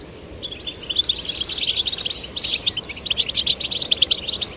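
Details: Caged goldfinch chicks of both sexes urged to sing, producing rapid high twittering with chattering trills and a few sweeping notes, steady and continuous.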